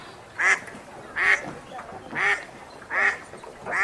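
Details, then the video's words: Wild duck on a lake quacking repeatedly: five hoarse, nasal calls in quick succession, about one every 0.7 seconds, with quiet outdoor ambience. "Ducks at the Lake Sound Effect"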